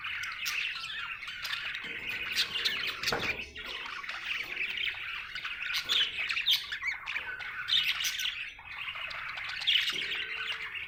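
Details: Budgerigar, described as happy, giving long unbroken chattering warble of squawky notes, clicks and thin whistles, with a brief dip partway through before the chatter resumes.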